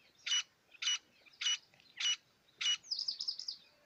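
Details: Quail (batair) from Pakistan, where the call known as kirk is prized. Five harsh, buzzy bursts about every 0.6 seconds, then a quicker trill of rasping notes, over a quiet background.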